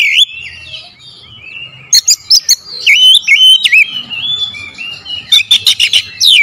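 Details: Lure song of an oriental magpie-robin, a rapid, shifting run of clear whistles, slurred notes and sharp clicking chips in quick bursts, with loud fast trills near the end over a quiet low background hum.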